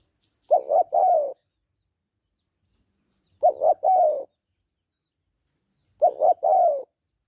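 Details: Female spotted dove calling to stir a male: three three-part coos spaced about 2.7 seconds apart, each with two clipped throaty notes and a longer descending coo, with a faint high tick at the start.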